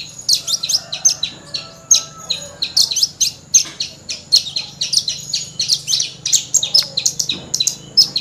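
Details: Singing Horsfield's bush lark, a mimic of other birds' voices, in busy 'gacor' form: a steady stream of high, clipped chirps and whistles packed closely together with almost no pauses.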